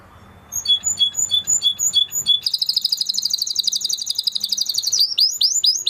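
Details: Spanish Timbrado canary song opening with evenly spaced double notes, shifting into a long dense rolling trill, then ending with rapid falling whistled sweeps.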